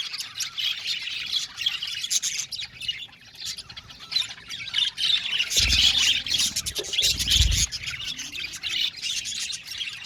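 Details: Aviary colony of Australian budgerigars keeps up a thick mass of high chirping and squawking, briefly joined near the middle by two dull low thuds.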